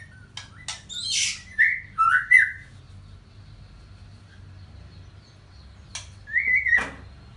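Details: White-rumped shama song in the Panji Semerang style: short clicks and sharp notes, then loud slurred whistles dipping and rising, a pause, and a final ringing whistled phrase.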